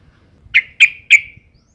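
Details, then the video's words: Female sooty-headed bulbul in breeding condition calling males, used to lure them to sing: three clean, sharp notes in quick succession, each trailing off in a short fading tail, in an otherwise quiet setting. "suara panggilan burung trucuk betina gacor birahi"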